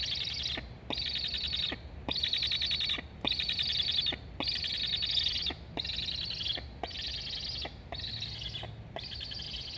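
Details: Black stork chick at a live nest camera in Estonia, 26 August 2021, begging for food while a sibling flies around the nest; both chirping. Wheezy, buzzy bursts, each about a second long, repeated in a steady run of eight with short gaps.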